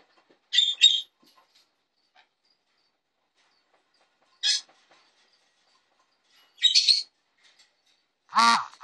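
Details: Pet Jenday conure, a young male, coming out for the first time at his new home: four loud, raspy squawks spaced a few seconds apart, the last one longer and more strained, with quiet pauses between.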